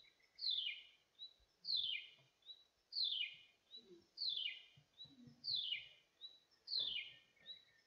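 A Chirruping Wedgebill repeats a bright, slurred descending chirrup about every 1.2 seconds, each followed by a short higher note, over quiet low rumbling.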